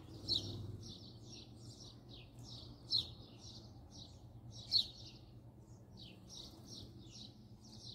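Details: Close-range recording of a house sparrow's song: evenly spaced, clipped chirps repeated roughly two or three per second throughout, with a few louder notes standing out above a low hum.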